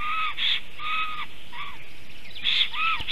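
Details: Female black stork singing at a nest area in a forest while the male watches, late morning of 18 May 2023; clear whistled, arched notes with rich overtones, repeated in short bursts with brief gaps.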